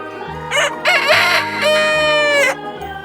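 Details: Rooster crowing over a steady music bed: a loud, harmonic cock-a-doodle-doo rising and then holding a long drawn-out final note that ends abruptly, framed by the backing music.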